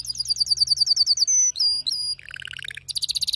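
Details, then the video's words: Excited male canary delivering fast repeated high chirps, a held whistle, slurred notes sweeping downward, a lower rolling trill, then a bright rapid high-pitched trill. "هيجان ذكرى كناري سيجبر كناريك على التغريد فورا"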